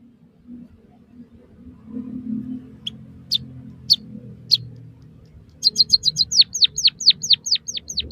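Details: White-headed munia singing for use in training captive birds. A low background hum comes first, then several isolated high notes, then a rapid chirp series that turns into repeated downward-sweeping whistles.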